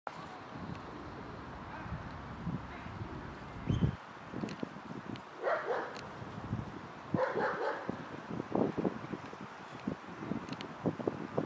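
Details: Common moorhen at Tivoli landscape park, Ljubljana, on 5 February 2024, gives a few abrupt, harsh croaking calls spaced a second or two apart over a steady low background rumble.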